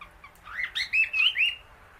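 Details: Female Indian ringneck parakeet feeding on grass outdoors among many birds; one loud chattering call of quick rising and falling whistled notes lasting about a second, on a quiet background.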